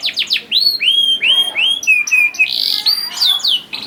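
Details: Canary song for coaxing young canaries into song: clear slurred whistles falling and rising, spaced unevenly, some held and flat, with a few sharper chirps toward the end.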